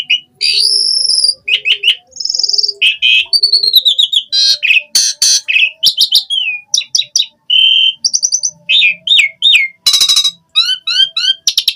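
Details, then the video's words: Asian pied starling in full gacor song packed with isian phrases: long unbroken run of high piercing whistles, clicks, buzzy rattles and quick trilled notes, ending in a rapid string of bright slurred chips. "Suara Jalak Suren Gacor Full Isian ANTI MACET Saat Musim Hujan/Kemarau Pancingan TERAPI Burung Jalak"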